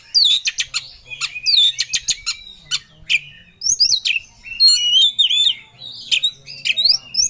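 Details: Oriental magpie-robin, a kept songbird, singing aggressively as if looking for a rival; fast rattling series of sharp notes followed by twisting whistled and squeaky phrases, loud and continuous.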